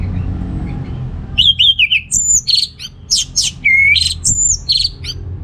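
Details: An orange-headed thrush (Geochichla citrina) sings a rapid, varied run of clear whistles and buzzy, scratchy notes, mostly high-pitched, with a low hum underneath. The recording is used as a lure to stimulate males lacking breeding drive.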